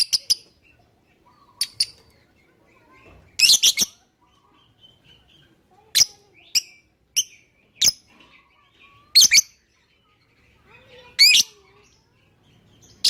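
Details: Lovebird chirping as a lure to set other birds calling: sharp, shrill, isolated chirps and short squeaky bursts with quiet gaps between them.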